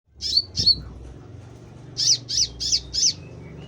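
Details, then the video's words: Konin singing gacor, energetically and often, as kept by bird hobbyists: six sharp, high chirped notes, two quick ones then a run of four spaced about a third of a second apart, over a low steady background hum. "konin gacor"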